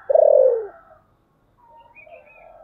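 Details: Spotted dove decoy in the 'thổ sấm' voice style gives one loud, rich, falling coo, followed by quieter, higher, fainter cooing in the background.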